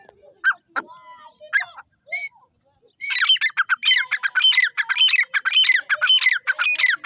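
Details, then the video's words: Grey francolin, Dakni Irani type, female of a new pair in breeding season: a few scattered squeaks, then a loud, insistent four-second burst of quickly repeated harsh notes. "Dakni Teeter ki Awaz| Dakni Madi teeter ki Awaz"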